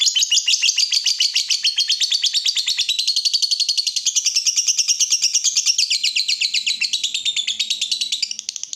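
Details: Long unbroken lovebird chatter, a rapid rattling stream of scratchy chirps at a steady fast pace that fades at the end, from a chatty bird used as a lure to fire up other lovebirds.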